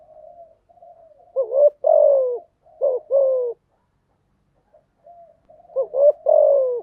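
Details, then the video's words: Spotted dove used as a decoy to train newly caught doves to coo, giving low two-part coos, a short rising note then a longer falling one, twice, with soft murmuring notes between; quiet background. "Chim Cu Gáy Mồi/ tiếng chim gáy dùng tập chim bổi mới hiệu quả/ tiếng gáy kích bổi gáy ngay"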